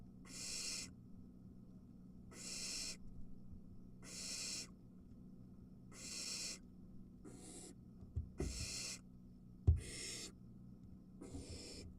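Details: Barn owl nest with three young and an adult bringing a mouse, one nestling grabbing it quickly: regular rasping hisses about every two seconds, then shorter ones with sharp knocks and scuffles.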